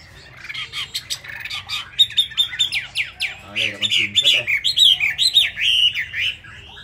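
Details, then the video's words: Rapid, vigorous song of a Chinese hwamei whose feathers are not yet dry: busy overlapping chips and whistles building into a quick sequence of bright, falling whistled phrases. "Họa Mi tuyệt vời với tốc độ mỏ khi lông lá còn chưa khô"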